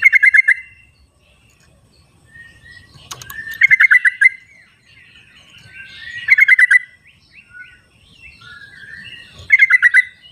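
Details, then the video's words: Yellow-vented bulbuls answering one another in the wild, with four loud bursts of five or six rapid, bubbly pulsed notes spaced about three seconds apart and faint whistles between. "suara trucuk di alam liarnya buat panggilan trucuk yang tidak mau bunyi"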